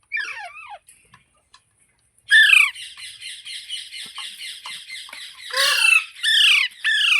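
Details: Green parrot, natural talking sounds. A few falling chirps open, then after a short quiet spell comes a long stream of steady raspy chatter, broken by several loud, harsh squawks toward the end.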